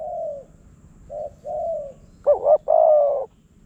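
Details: Spotted dove in Phrae, Thailand, a wild bird drawn in by a decoy and said to come quickly and fiercely. A few soft, mellow coos are followed by one loud call: a quick wobbling double note, then a drawn-out, even coo.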